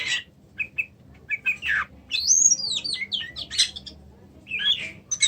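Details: Oriental magpie-robin singing a lively phrase of clear whistles, slurred rising and falling notes and short buzzy bursts, mostly high-pitched, with brief pauses between phrases and a low background hum.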